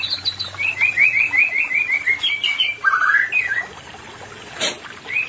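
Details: White-rumped shama singing, meant to bring an unready pair into breeding mood: a rapid run of about ten repeated upslurred notes, a lower warbled phrase, then quiet with a sharp tap.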